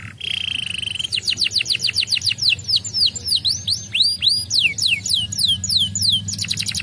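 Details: Young canary singing after stimulation: a short even trill opens, followed by a long series of quick downward-sweeping whistles and curling notes, with constant low background hum.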